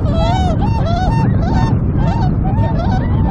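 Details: Flock of Tundra swans on a shimmering river at their arrival site in Kawajima, Saitama, Japan, filmed 4 February 2017; loud, close bugling honks with rich harmonics, rising then falling, repeated about twice a second, over steady low noise.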